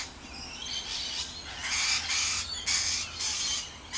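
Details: Rainbow lorikeets at Riverglade Reserve, NSW, giving harsh, grating screeches in broad bursts of about half a second, several following one another in the second half, over a faint low hum.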